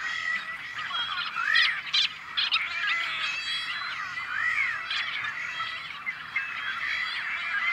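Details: On-farm nesting colony of rare Tricolored Blackbirds, Central Valley, California, May 2012. A busy, overlapping din of grating, twangy calls and curved whining notes, with sharper louder squawks bursting through now and then.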